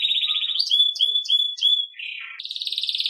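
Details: Belgian canary performing the campainha song for training young birds: a brief rolling trill, four ringing whistled notes, a lower warble, then a loud fast buzzy trill.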